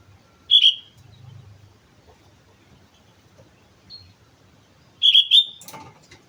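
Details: Sooty-headed bulbul singing actively on Mount Slamet: two loud, short, sharp whistled phrases about four and a half seconds apart, with a faint single note between them over quiet low background hum.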